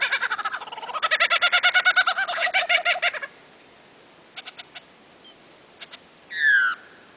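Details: Lyrebird singing on his mound amid ferns in Sherbrooke forest, Dandenongs, Victoria, April 2008; a fast, rattling burst of evenly repeated notes for three seconds, then scattered clicks, a thin whistle and one rich downslurred call.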